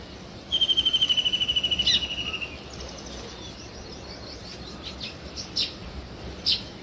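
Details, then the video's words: Weaver birds building a nest; one loud run of rapid ticking notes lasting about two seconds, then quieter background with a few distant sharp chirps. "Sparrow Chirping Sounds | Weaver Birds Building Nest"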